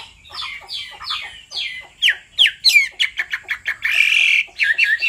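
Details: Hwamei male singing as the female keeps calling: downward-slurred whistles repeated about three a second, then sharp upswept notes, a harsh rasping burst, and final looping whistles.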